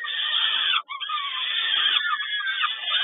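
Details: Peregrine falcon at Kawęczyn, recorded 10 May 2022 during feeding: continuous harsh, rasping screeches held almost without pause, broken once by a brief gap, dense and noisy throughout.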